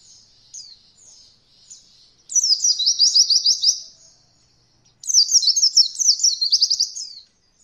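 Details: Oriental white-eye in a training recording for beginner birds: a few soft high notes, then two loud bursts of quick rolling trilled notes, each about two seconds long, separated by a short silence.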